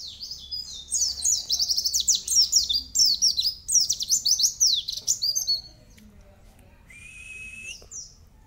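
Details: Mountain white-eye singing a tutor song (masteran) with long 'cerrr' runs: a fast, dense stream of high, sharp chirps and twittering trills for about five seconds, then a lone steady high whistle and low background hum.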